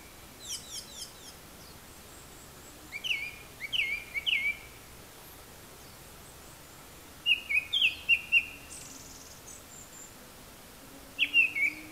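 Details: Japanese thrush singing from high in the trees, apparently imitating various other birds' calls: clear whistled phrases with fluttering trills and a few thin high notes, delivered in short bursts separated by pauses of several seconds, over quiet background hiss.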